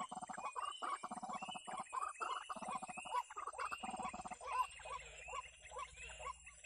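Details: White-breasted waterhen (wak-wak) calling as a trapping lure: a long series of quick, harsh, grating notes repeated without pause, shifting into higher, clipped croaks in the second half.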